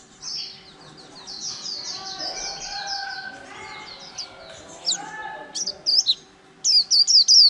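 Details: White-eye kept caged for over a month after wild capture, in líu-style song. Quiet, continuous warbling twitter builds into a few loud, high, clipped notes repeated quickly at the end.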